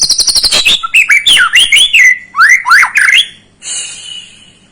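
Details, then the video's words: Lure song of a White-rumped shama meant to excite a young bird: rapid high trilled notes open into a string of rich swooping whistles, ending with a thin high drawn-out note. "Pancingan Murai batu paud agar emosi"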